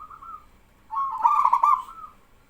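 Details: Local male zebra dove calling energetically so other doves join in; a brief soft coo followed by one loud, quavering, rapidly trilled cooing phrase.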